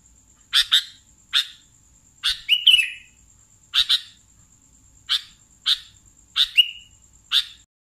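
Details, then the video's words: Sooty-headed bulbul (kutilang) giving short harsh chirps, often in pairs, spaced about a second apart, with two brief whistled slurs among them, over a continuous faint high whine. "BURUNG KUTILANG GACOR"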